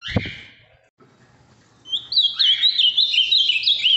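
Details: Captive Ultramarine grosbeak from Minas Gerais, Brazil, large and bright blue, known for a very firm song; a short buzzy call and a thump, then a loud, quick series of clear whistled up-and-down notes.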